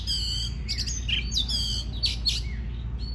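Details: Oriental magpie-robin singing to stimulate other birds to sing: a quick series of harsh, nasal rasps and bright whistled notes, loud and close, over a faint low hum.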